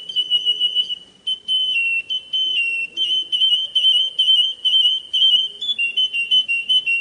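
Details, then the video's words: Russian canary singing a run of pulsed whistled trills, about two bursts a second, mixed with sustained pure notes at much the same pitch. "SUARA BURUNG KENARI RUSIA"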